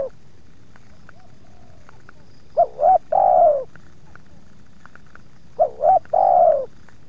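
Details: Spotted dove confronting wild doves that come to its yard, calling twice: two brief coos, then a longer, sliding coo that sinks at the end. A faint soft note is heard before.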